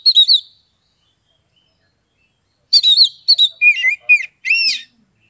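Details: Oriental magpie-robin (kacer) kept in Kebumen, Central Java, Indonesia, with ngeplong song. One short whistled phrase is followed after a pause by a longer string of chirps, slurred whistles and upswept notes.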